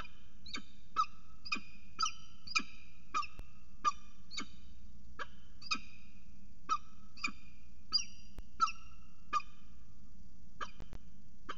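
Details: Northern goshawk pair at a water tower nest, mating on the edge; a long series of ringing, harmonic calls, some doubled, repeats at a brisk uneven pace over a constant low rumble.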